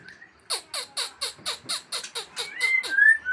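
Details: Aceh white-rumped shama giving about ten harsh, scratchy notes at a fast even beat, about four per second, then switching into clear rising whistles.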